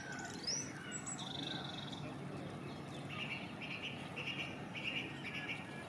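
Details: Song thrush singing on a chilly, dark, dull morning at a leaf yard. A high sliding whistle and a sustained note are followed by a row of softer, evenly repeated high phrases, distant against a low background rumble.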